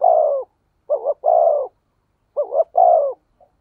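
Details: Lure recording of a spotted dove in the 'thổ sấm' voice style, meant to excite wild doves. A long falling coo, then two phrases of a quick double note and a drawn-out coo, in clean silence.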